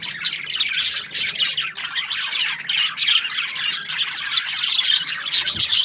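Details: Many budgerigars in a breeding aviary chatter together: steady, crowded high-pitched twittering and scratchy squawks overlapping throughout.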